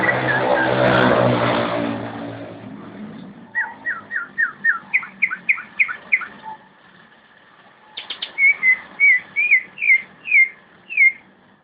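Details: Competition-quality song of a greater green leafbird: a burst of loud rushing noise gives way to rapid slurred whistles, then after a pause a series of looping, downward-curling whistled notes repeated about twice a second.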